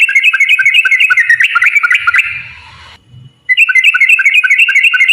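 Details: Sooty-headed bulbul in long rapid 'ropel' song, played to coax other bulbuls into singing; quick repeated whistled notes, a pause with faint low sounds, then the fast chatter returns.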